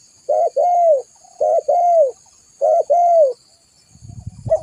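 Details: Spotted dove used as a lure, cooing in three paired phrases: a short note followed by a longer arched, slightly falling coo, roughly one pair per second, then low rumbling noise at the end.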